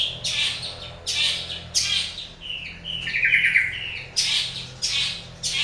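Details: Morning song of a long-tailed shrike, with loud harsh rasping bursts repeated about once a second, broken by a softer warbled passage of wavering notes.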